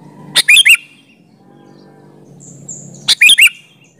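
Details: Sooty-headed bulbul singing, offered as a lure to draw replies from other bulbuls: two short bursts of three bright, bubbly chirped notes, about three seconds apart, with a faint thin whistle between them.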